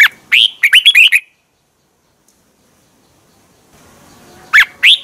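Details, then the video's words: Thai caged red-whiskered bulbul song, played to rouse other cage birds: a fast bubbling phrase of warbled, looping notes, a long quiet pause, then the start of another phrase. "เสียงนกกรงหัวจุก สำหรับต่อ หรือ เปิดให้นกคึก เสียงเพราะๆ เสียงดีมาก เต็ม, chao mao"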